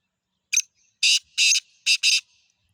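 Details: Black francolin calling: one short harsh note followed by two pairs of loud, grating, rasping notes, the whole phrase lasting under two seconds, with a faint thin tone linking the notes.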